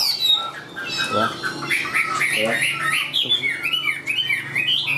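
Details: A tame Chinese hwamei sung from the hand, with a rapid mix of chattering, squeaky and whistled notes delivered loudly and almost without breaks.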